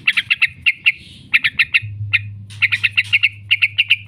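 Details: Yellow-vented bulbul 'ngekek' chatter used to train caged birds: clusters of quick, clipped high notes with short gaps, a steady low hum starting partway through.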